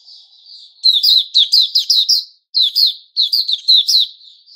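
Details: Puteh Raja white-rumped shama on 29 August 2021 giving a soft lead-in note, then a rapid run of five or six bright chirps, a short gap, and further chirp clusters.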